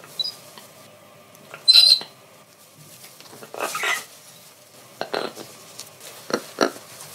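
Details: A pet Military macaw (Ara militaris), recorded at home for sound samples, gives a few short, scattered screams: one a sharp, high whistled squeak and the others harsh, raspy bursts, with quiet pauses between them.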